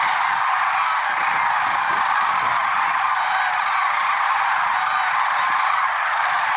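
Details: Lesser sandhill cranes calling in the early morning at Merced National Wildlife Refuge on February 6, 2023: a dense, continuous chorus of overlapping rolling, trumpeting calls with no pauses, steady in loudness throughout.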